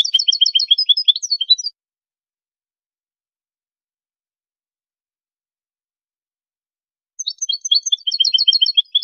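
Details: A European goldfinch sings a training song for tutoring young birds: rapid, tinkling twitters of high, liquid notes in two bursts, each under two seconds, separated by a long silence.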